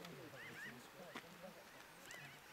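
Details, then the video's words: Pinyon jays by the Owens River, California, in 2012, giving short, arched, nasal calls that rise and fall, several in quick succession, while people talk nearby about the flocking. "Pinyon Jay"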